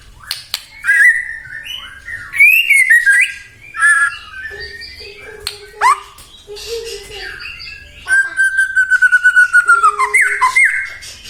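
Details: Persistent song of a white-rumped shama, played to rouse other shamas into answering: scattered sharp whistles and chattery phrases, then a long, level whistle broken by rapid pulsing notes.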